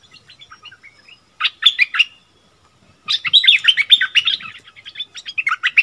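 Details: Bulbul dueling with a wild bird that has opened up its song: soft scattered notes, a brief burst of three loud chirps, a pause, then a long, lively stream of warbled notes overlapping as the birds sing against each other.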